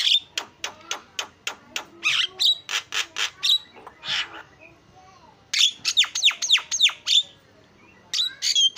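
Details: Starling lure song: a run of sharp clicking and rasping notes, then a pause, followed by rapid downward-swept whistles and chattering squawks, all high and fast.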